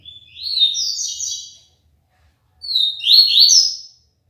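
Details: ['A papa-capim, or double-collared seedeater, kept in Aracaju, Brazil, sings the tui-tui limpo style. Two high, quick phrases of buzzy, upward-stepping notes are separated by about a second of silence.']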